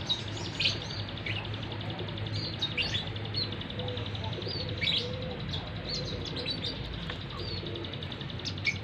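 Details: Tame Hill Prinia giving short, sharp high chirps at irregular intervals, some in quick pairs, over a steady low hum and faint background noise.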